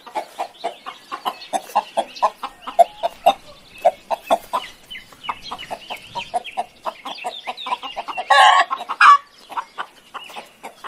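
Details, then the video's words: Chickens clucking: a steady run of short, clipped clucks overlapping from several birds, with a brief louder harsh squawk near the end. "SOM DE GALINHAS 🐔 - CACAREJANDO"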